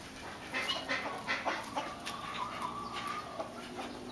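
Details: Lady Amherst's pheasant hens give short, scratchy clucks and squeaky chips, then a drawn-out, wavering mid-pitched whine over faint background noise.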